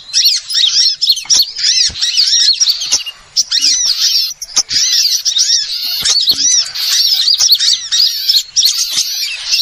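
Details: Small birds chattering in a trapping lure recording: continuous overlapping high chirps, rapid twitters and arched whistles from many birds, bustling and loud throughout with a few brief lulls.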